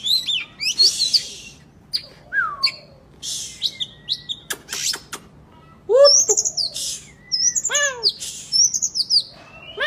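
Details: Oriental magpie-robin singing a lively, varied song of sharp whistled notes, rising and falling slurs and buzzy chips in quick bursts separated by short pauses, used as therapy to coax lazy magpie-robins into singing.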